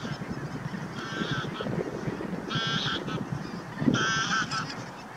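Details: Bar-headed goose at Naardermeer, the Netherlands, on 9 March 2021. Three short bursts of nasal, harmonic honking come at about one, three and four seconds, over a steady low rumbling background.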